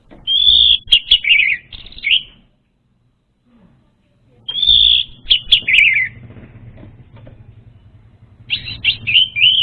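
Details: Lure song of the orange-headed thrush for untrained birds. Clear, high whistled phrases of rising and falling slurs are separated by brief pauses, and each phrase ends in a short chattering run. A low hum runs underneath.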